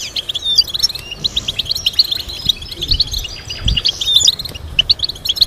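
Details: European goldfinch kept by breeders, fast twittering song of sharp high chirps, metallic tinkles and short whistled slurs, clear and continuous.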